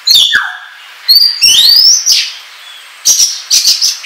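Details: Oriental magpie-robin song used as a lure for trapping and as a tutor recording for caged birds: loud varied whistles, rising slurred notes, harsh buzzy phrases and sharp chip notes in short bursts.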